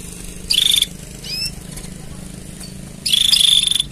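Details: Canary mating song: a dense buzzy trill, a few quiet whistled notes, then a longer rolling pulsed trill.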